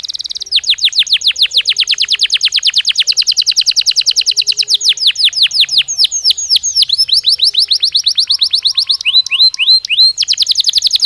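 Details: Training stimulus song of a Belgian canary: a long series of quick descending whistled sweeps in steady rhythm, shifting to looser varied chirps and high trills near the end.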